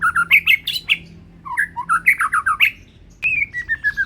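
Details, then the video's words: Ringed Medan white-rumped shama, still young, in full loud song: rapid bursts of sweet whistled and chattering notes, then after a brief gap a descending series of clear whistles. "Murai batu medan Ring BNR masih pastol udah gacor dan suara tembus"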